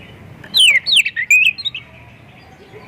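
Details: Oriental magpie-robin in full mimicry song, played to prompt other magpie-robins to sing. Sweeping downslurred whistles run into a short level trill, then quiet before one more note starts.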